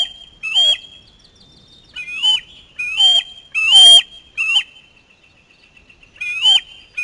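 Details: Screaming Osprey chick at a fish delivery, grabbing and mantling its catch: short, thin, high whistled cries, about seven, spaced irregularly with quiet gaps between.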